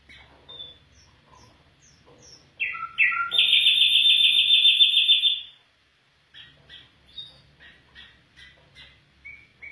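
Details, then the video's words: Afghan bulbul song: a few soft chirps, then two rough notes leading into a loud, sustained rapid trill lasting over two seconds, followed by quieter scattered chirping. "Afghan bulbul bird voice افغانی بلبل کا آواز"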